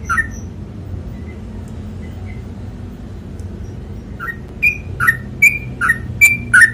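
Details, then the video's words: Sooty-headed bulbul (trucukan), ropel panjang song style: a few soft scattered notes at first, then from the fourth second a quick series of loud whistled doublets, high note falling to lower, over steady background hum. "MASTERING TRUCUKAN ROPEL PANJANG"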